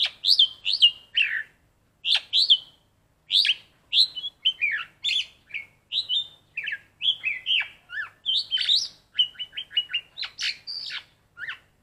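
A black-collared starling sings a continuous run of varied whistled and chattering phrases, imitating red-whiskered bulbul notes, with quick repeated chips near the end.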